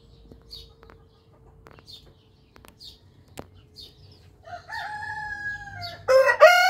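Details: Orpington or Marans rooster crowing: after a few seconds of faint chirps and clicks, a harmonic crow rises at about four and a half seconds and holds, then a loud, harsh second crow bursts in near the end.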